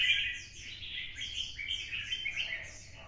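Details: Red-whiskered bulbul in Vietnam, spurred to sing a fighting song in the 'giọng xoắn' twisting style. Quieter, continuous run of rolling warbled notes over steady low-pitched background noise.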